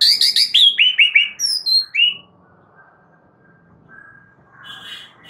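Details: Oriental magpie-robin (murai batu) master song for training caged birds: a fast burst of loud, high chirped and whistled notes lasting two seconds, then near silence with faint chatter and a soft closing phrase.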